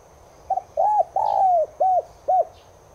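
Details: Cooing of a Spotted dove, subspecies tigrina, meant to set caged doves cooing: clipped double opener, a rounded coo, a long sliding coo, then two brief domed notes, over soft background chirping.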